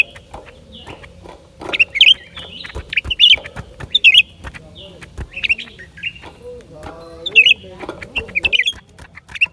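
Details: Scattered bright chips and squeaky, slurred twitters of a lesser green leafbird, coming in loose clusters with brief pauses and a soft wavering sound low in the background.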